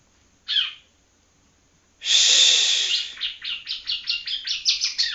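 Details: Young yellow-bellied prinia from Palembang learning to sing. A single short chirp, a pause, then a long harsh buzz leading into a rapid series of about ten short, high chirps.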